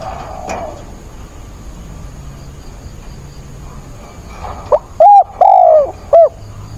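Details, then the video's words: Decoy spotted dove cooing during a rainstorm on 28 October: after four quiet seconds, one quick phrase of short, clipped hoots, the middle note longest and gently falling, over a steady low background hiss. "mưa bão cu mồi gáy càng sung"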